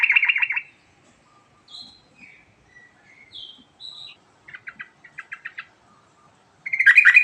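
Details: Yellow-vented bulbul in rolling 'ngerol' song with varied filler: an opening rapid trill, then a string of thin whistled notes at differing pitches, short pulsed rattles, and a final loud bubbling trill.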